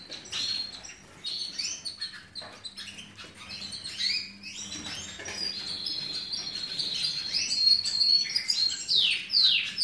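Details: Canaries in a breeding room during the 2017 season, singing continuous high-pitched twittering with rapid chirps, trills and sweeping whistled notes. The song grows louder toward the end, with a low background hum.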